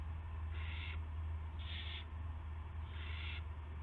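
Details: Owl on a live nest camera at 8 PM on March 18, 2016, as one owl brings a gopher to another; three harsh, hissing screeches, each about half a second long and about a second apart, over a steady low hum.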